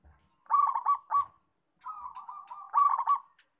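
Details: Local zebra dove in active song, giving a clipped burst of rapid cooing notes, a pause, then a soft rolling purr leading into another fast staccato coo series; quiet background.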